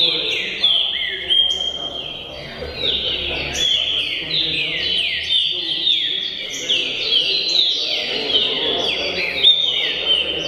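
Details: Green-winged saltator of the tricolor type singing a steady run of loud, clear, downslurred whistles, each phrase falling quickly and repeated almost without pause, with faint voices murmuring in the background.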